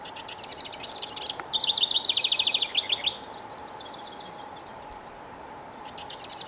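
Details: House wren singing: a fast, bubbly cascade of high chattering notes, about four per second, swelling louder then tumbling lower and fading, with a brief high phrase at the end over a steady faint hum.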